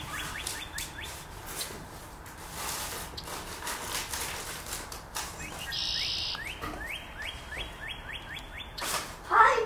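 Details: Red-winged blackbird (Agelaius phoeniceus) calling: short, sharp chip notes in quick runs, about four a second, with one brief buzzy note between runs, over soft rustling and hiss.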